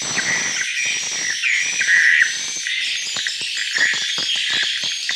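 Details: Swiftlets from Kalimantan, recorded inside a successful swiftlet bird house: a dense, continuous wash of buzzy, high chattering calls with sharp clicking bursts and brief whistled notes.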